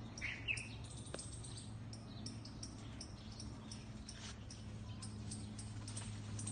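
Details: Birds in a garden chirping at cats nearby: scattered short, sharp high chirps and ticks, with a brief brighter squeaky phrase near the start, over a steady low hum in the background.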